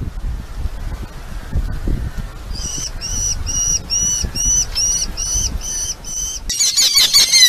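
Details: Red-footed falcon at its nest with its family, filmed by a live nest camera in Polgár, Hungary: after quiet rustling, a steady series of short, harmonic, slightly bowed calls repeats about three times a second, ending in a harsher burst.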